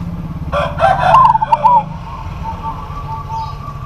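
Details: Local zebra dove giving its challenge call toward a rival bird. A single burst of quick bubbling coos with a final drawn note, set against a persistent low mechanical hum.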